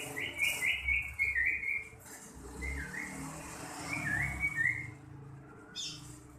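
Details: A young common iora, kept as a songbird and being tested for fighting spirit, sings quick whistled trills in short rolling phrases, with a pause between them. Traffic rumbles in the background.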